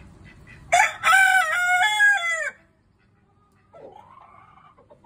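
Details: A pet rooster, whose owner is puzzled by his unusual behaviour, gives one loud, harmonic crow lasting nearly two seconds, rising then holding and falling away, followed by a softer, fainter call.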